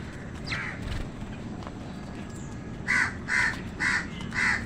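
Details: Crow amid a fight with wild birds over food, giving a run of four loud harsh caws evenly spaced about half a second apart near the end, after a fainter call early on, over low rumbling background noise.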